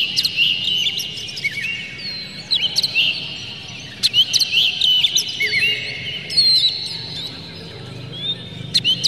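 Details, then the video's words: Emotional Oriental magpie-robin singing with tail spread, full of varied material, a clear rough call used to provoke other magpie-robins; dense run of sharp whistles and twittering slurs in bursts, with a faint low hum throughout. "dijamin kacer langsung ngamuk2 dengar kacer ini bongkar emosi buka ekor ngobra full isian"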